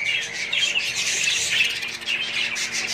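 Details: Family flock of pet budgerigars chattering steadily, a busy wash of high chirps, squeaks and warbled twitters with no pauses.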